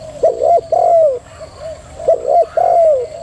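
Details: Female spotted dove giving a thúc gù coo: two soft phrases, each of quick low rounded notes ending in a longer drawn-out coo that slides downward, with a brief pause between phrases.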